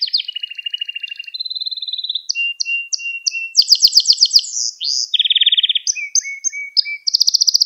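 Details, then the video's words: Caged canary in full song, recorded as a lesson for young canaries: unbroken chain of rolled notes, clear whistles, repeated short chips and fast rattling trills that change every second or so. "Kanarya Sesi Ve Ötüşü"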